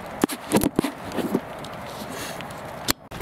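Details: Footsteps, scraping and brief low voices sound outdoors in rural surroundings, with no animal call.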